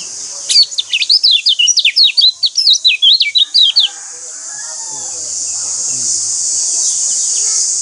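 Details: Lemon-bellied white-eye song meant to provoke caged birds into singing: about three seconds of fast, high, zigzag chirping notes, followed by a steady high hiss and faint background sounds.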